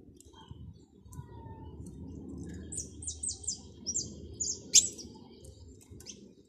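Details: European goldfinch chirping: a faint twitter of short high thin notes in quick bursts, one sharper chip standing out, over a steady low background rumble.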